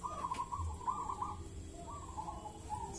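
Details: Local wild-caught zebra dove of the Mojopahit type, prized for a big, thick, echoing voice: rolling, rapidly pulsed cooing phrases, one long phrase then a pause and another, over a low steady background hum.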